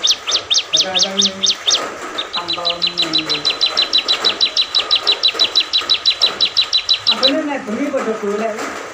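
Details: Bar-winged prinia singing on and on, unbothered by people or rain: long fast series of sharp high ticking notes, about four per second, with short pauses, over music and voices.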